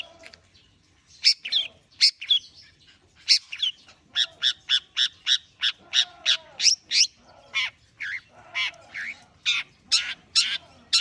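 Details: Long-tailed shrike (cendet) warming up: bursts of harsh, broadband chattering notes, some sharp and scratchy, delivered in quick irregular runs with brief pauses, plus faint lower murmurs beneath.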